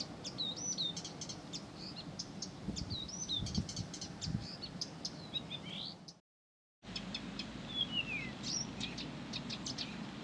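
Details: Blyth's reed warbler singing without pause: fast varied phrases of looping whistles, clicks and buzzy notes, a brief cut of silence midway, then more twittering and a descending slur, with low outdoor rumble.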